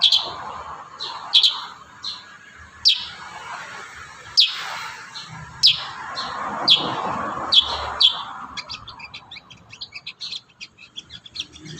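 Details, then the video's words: Kurincang in full active song, recorded as master audio for training young birds; sharp, high chirped notes ring out roughly every second or so, softer twittering filling the gaps, and a faster run of chips near the end. "Masteran terbaru burung kurincang gacor isian"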